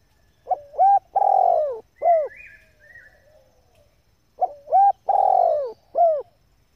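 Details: A female spotted dove calls to stir up males, giving two matching four-note phrases about four seconds apart: a clipped note, an upturned coo, a drawn-out sinking croo, then a curved final coo. Faint higher whistles sound between the phrases.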